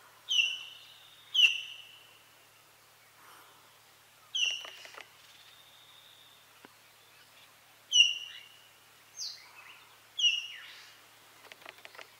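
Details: Common hill myna singing in Buxa Tiger Reserve, Alipurduar, West Bengal, India: loud, piercing whistled notes dropping in pitch, in bursts every one to few seconds with softer chatter between, over faint background hiss.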